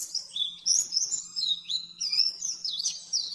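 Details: Pleci, the oriental white-eye, delivering a fast training master song: high, sweet, warbling twitters tumbling in quick slides and trills, continuous throughout, with a faint electrical hum beneath.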